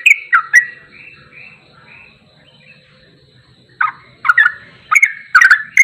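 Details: Sooty-headed bulbul in ropelan goklikan song style, a recording meant for training songbirds: a few quick bubbly whistled notes, then a soft warbling passage and quiet low murmur, followed by a renewed run of louder chirping bursts.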